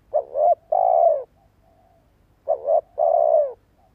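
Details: Spotted dove decoy bird with a fine voice, cooing to make other doves and young birds coo: two coo phrases, each a short double note and then a longer, slightly falling coo, about two seconds apart, in a quiet setting.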